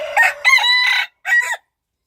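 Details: Wild chicken crowing up close: a loud, harmonic, strained crow in three parts, two joined notes then a short final note after a brief pause.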